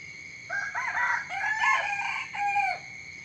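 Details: Domestic cock crowing at dawn, a raucous multi-part cock-a-doodle-doo lasting over two seconds and ending in a drawn, dropping final note, steady shrill insect hum throughout.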